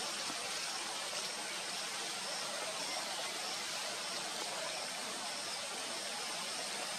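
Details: Continuous broadband hiss like machinery or rushing air, with no animal calls.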